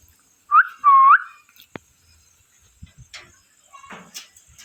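A parrot gives two loud whistled calls, the first sharply rising, the second a dipping then rising whistle, followed by clicks, a faint whistle and soft background noise.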